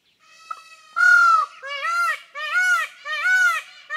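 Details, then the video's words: Indian peafowl give four loud, nasal, wailing calls in quick succession, each note rising then falling in pitch, against a quiet background. "The sounds of Indian peacocks"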